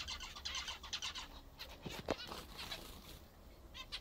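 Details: Zebra finches eating favourite food: nasal chirping calls in bunches, with a couple of dull knocks midway, then quieter scattered beeps.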